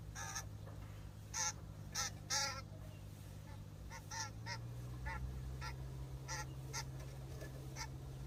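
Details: A Common Grackle in a backyard in Ontario, Canada gives about a dozen harsh, nasal chack notes at an uneven pace over a steady low hum.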